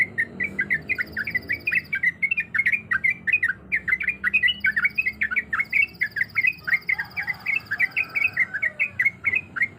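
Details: Near-continuous chattering of a yellow-vented bulbul female in breeding condition calling males. Dense bursts of twisting, bright notes fill almost ten seconds, with faint high steady tones behind.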